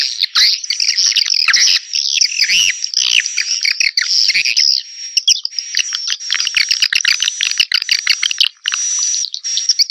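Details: A 2021 swiftlet attraction call: sustained high, shrill twittering and buzzing chirps with a thin steady whistle-like tone underneath, rolling on almost without pause.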